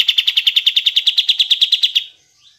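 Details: Kapas tembak bulbul delivers a single steady, fast rattle of about twenty even, buzzy pulses over two seconds, played to prompt reluctant birds to sing.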